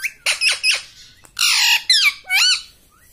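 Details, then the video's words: Pet parrot indoors in a small room, producing a run of loud, harsh harmonic squawks: three quick rising-falling syllables, a pause, then three longer buzzy, bending notes. "mummy bolne wala tota - मम्मी बोलने वाला तोता"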